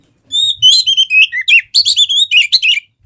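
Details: Kacer, the Oriental magpie-robin, singing to stir a quiet bird into song: one unbroken run of loud whistled notes, sliding up and down, interspersed with sharp chattering trills, clean background.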